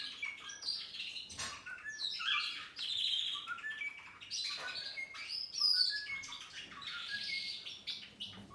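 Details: A pet cockatiel watching a tablet chatters in bright, warbling chirps and short whistled notes, broken by brief pauses.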